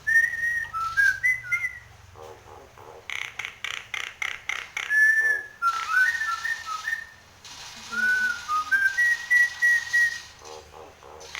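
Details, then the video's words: Nias hill myna in full song with head-bobbing and special fills: strings of clean whistles alternating with rapid series of harsh, clap-like broadband pulses, several whistle phrases rising and falling across mid pitches. "Suara burung Jalak Nias Gacor Mangut manggut Isian Istimewa Teplekan"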